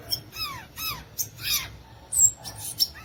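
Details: Violaceous euphonia giving a few clear downslurred, ringing notes in a row, followed by a sharp high whistle and quick chips.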